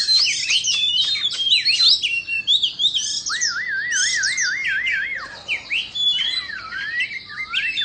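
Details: White-rumped shama of Indonesian stock singing while dancing with fanned tail: rich, varied high whistles and sharp chirps, with a long wavering trill in the middle, phrases tumbling one after another.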